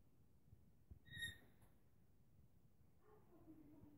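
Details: One of two rainbow lorikeets exploring and peering into a cave gives a single shrill, squeaky note, then a fainter, lower wavering call near the end, over a steady low rumble.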